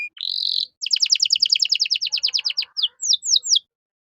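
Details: Canary song, a masteran recording with luxurious cengkok phrasing used to train caged songbirds: a sustained buzzy note, then a fast run of repeated sweeping trills, ending in a few slower downward-slurred whistles.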